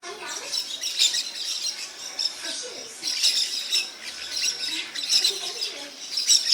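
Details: Several parakeets calling together in a steady chatter of harsh, overlapping screeches, with louder bursts near one, three, and five seconds and a constant background of fainter squawks.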